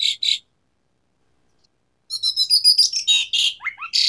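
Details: Asian pied starling singing gacor style with tembakan fill notes: two short bright chirps, a pause of silence, then a rapid run of buzzy, chattering and whistled notes with quick downslurs.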